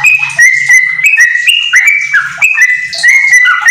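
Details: Yellow-vented bulbul kept at home, singing hard with white-rumped shama fill-ins for use as a training recording; brisk series of bright whistled notes and slurs repeated several times a second, with faint low thumps behind.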